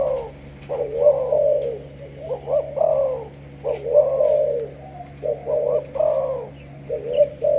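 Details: A decoy spotted dove of Malaysian origin in 'sấm thổ' voice style calls in repeated phrases, each a short rising coo followed by a long, deep, drawn-out note, cycling about every one and a half seconds.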